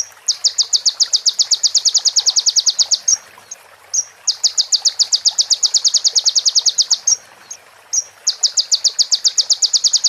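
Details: Sunbird song from a recording used to train other birds: three long, rapid, evenly spaced trills of high sharp notes, each about three seconds, separated by short pauses with single chip notes.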